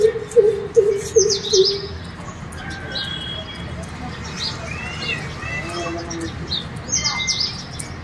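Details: A greater coucal sings from a house gallery on Gudi Padwa/Ugadi, giving four deep, hollow hoots evenly spaced about every half second, then falls silent. Thin, high chirps from other birds follow.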